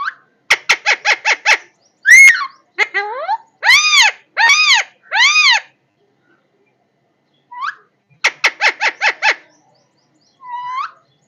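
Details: Parrot calling indoors: bursts of rapid clicking squawks, loud harsh screeches, and arched drawn-out whistled cries, each series lasting a second or two, with silences between.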